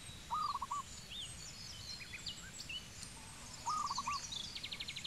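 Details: Zebra dove in Cambodia calling twice, each a quick rippling series of soft coos, while other birds add scattered chirps and a fast high trill near the end.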